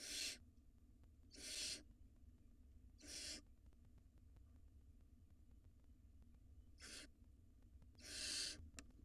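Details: Wild barn owl nestlings, two in a nest box, swallowing rodents; five short harsh hisses at uneven intervals of one to three seconds, low hum underneath.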